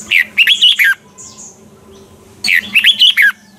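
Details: Captive red-whiskered bulbul singing a mature wild-type double-note song for training other birds: two bright, rapid whistled phrases with rising and falling notes, separated by a pause over a low background hum.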